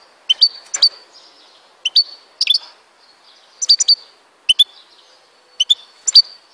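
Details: European goldfinch from Tizi Ouzou, Algeria, singing: short bright twittering bursts of high chirps and tinkling notes, in clusters about every second, with brief pauses between.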